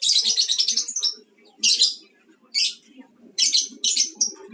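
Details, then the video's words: A lovebird in mangsi style, used as a lure to prompt singing; a long, grating, pulsed chatter opens, followed by shorter buzzy bursts about every second over a faint low murmur. "Pancingan LOVE BIRD Pemula (MANGSI)"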